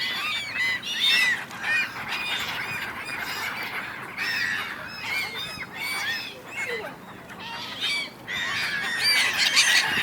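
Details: Many gulls arguing on the River Dnipro, Kyiv, Ukraine, January; bursts of squealing calls from the flock come in waves, roughly two per second, over background hiss.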